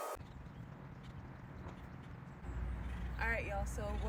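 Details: An acorn woodpecker moves along a tree foraging for acorns and insects, giving a short run of raspy, nasal, rising-and-falling calls near the end. Steady low rumbling background noise and a speaking observer run underneath.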